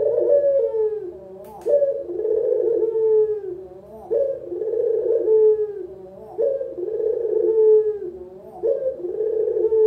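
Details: Local puter collared dove in a long cooing run used as lure and master sound for beginners: five repeated purring phrases, each rising sharply and then rolling downward, about two seconds apart.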